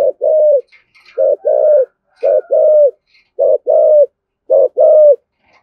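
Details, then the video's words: Spotted dove giving 'thúc gù' coos in the 'thổ' voice to provoke other doves: four clean pairs of deep notes, a short note then a longer falling one, spaced about a second apart. "cu gáy giọng thổ thúc gù dùng kích bổi, bổi nghe rất nhại gáy"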